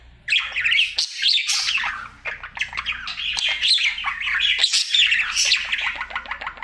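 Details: Happy male pet budgie's daily singing: nonstop chattering warble of buzzy rasps, clicks and squeaky whistles, rapid and varied throughout, over a faint low background hum.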